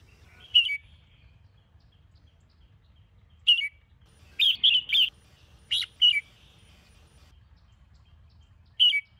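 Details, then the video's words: Morning song of a caged Sông Kôn red-whiskered bulbul recorded for training. Scattered short, bright chirps and a quick cluster of three slurred notes, separated by quiet gaps of a few seconds. "Chào Mào Sông Kôn - Luyện Giọng Hót Hay | Luyện Chào Mào Bổi Hót Sáng"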